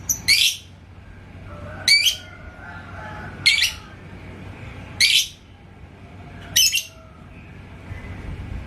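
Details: Yellow lovebird in Indonesia provoked by a rival bird's song toward ngekek chatter, giving five sharp, raspy chirp bursts spaced roughly every one and a half seconds against faint background hum.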